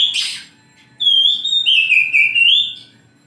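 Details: Oriental magpie-robin (kacer) in the morning: a harsh scratchy note, then a long, sweet, level whistle that dips and winds slowly before fading.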